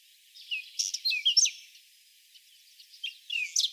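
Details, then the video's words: Whinchat delivering a quick, jumbled phrase of high chirps, crackling notes and short whistles, followed after a brief pause by a softer second phrase. "Голоса птиц: луговой чекан"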